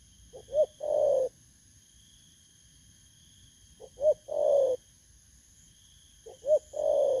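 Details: Wild-caught spotted dove from Vietnam, August 2024, cooing three times at roughly three-second gaps. Each phrase is two quick soft notes and then a drawn-out, gently descending croo. A faint constant high tone hums throughout.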